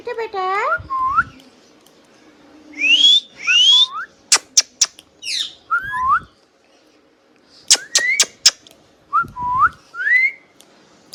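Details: Hand-tame pet green ringneck parrot in a talking session, giving rising whistled notes in pairs, sharp clicks and a few short harmonic speech-like syllables, separated by brief pauses.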